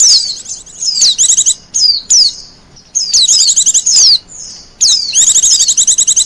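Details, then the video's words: Sharp, high trills and descending whistled slurs come in uneven bursts from a wild Japanese white-eye, with longer quiet gaps between phrases; the song serves for luring birds and as master song. "Suara burung pleci liar,cocok buat pikat dan masteran."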